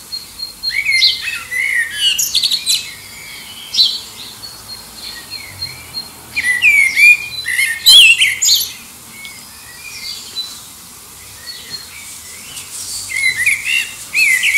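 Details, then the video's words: Common blackbird singing to find a mate, competing with other birds in the distance, under an airport flight path near Liverpool: bright, varied warbled phrases with high twittering flourishes, in bursts separated by short pauses. "Song of the Black Bird"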